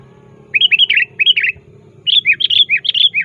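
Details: Sooty-headed bulbul calling actively toward a rival, used as a lure for trapping: two bursts of quick, bubbly whistled phrases, each a cluster of four to five slurred notes, over a steady low hum.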